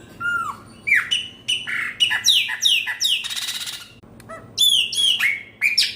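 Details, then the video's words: Chopi blackbird (pena branca) in full song as the old year gives way to the new: rich whistled notes swooping down then up, delivered in rapid succession, with a brief harsh rasping burst midway and a short pause. "PENA BRANCA DESPEDIDO DO ANO VELHO PARA O NOVO"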